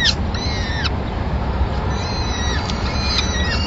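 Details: Peregrine falcon family in Madrid, 26 April 2016, with the male delivering a small bird as the first meal of the day for the chicks. Several arched, whining notes sound amid constant low-pitched city background noise.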